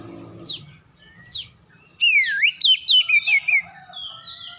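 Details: Oriental magpie-robin lure song to trigger replies from other magpie-robins: two isolated falling whistles, then a loud rippling phrase of swooping notes and chirps, ending in a level held tone.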